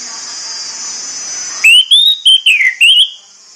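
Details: Orange-headed thrush morning song, used to rouse birds into singing: after a faint hiss, a loud burst of clear whistled phrases, rising and falling, in quick separate notes over about two seconds.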